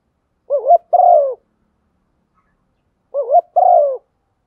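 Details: Female spotted dove calling to urge a male on, played as a lure. The same two-part coo is heard twice about three seconds apart. Each is a wobbly rising note, then a long, smooth, gently falling coo. Silence lies between.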